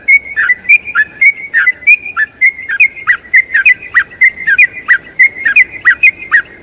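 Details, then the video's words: Extended rolling song of a yellow-vented bulbul, recorded to teach other bulbuls. Fast, lively whistled notes flow almost without gaps, many with falling twists, sustained throughout. "BURUNG TRUCUKAN ROPEL PANJANG UNTUK MASTERAN TRUCUKAN LAIN"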